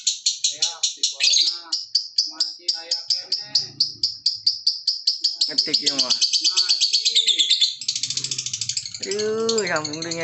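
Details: Lovebird still trilling its extended ngekek near the three-minute mark, quick shrill chirps repeating steadily, then a slightly smoother buzzing stretch, with frequent men's speech and low background murmur.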